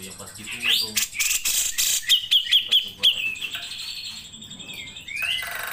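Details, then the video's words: Grey-cheeked bulbul (cucak jenggot) singing in lively 'gacor' form for song-tutoring: scattered sharp chirps, then a run of five quick, evenly spaced high whistled notes, followed by a drawn-out thin whistle and a final rising slur. "CUCAK JENGGOT GACOR"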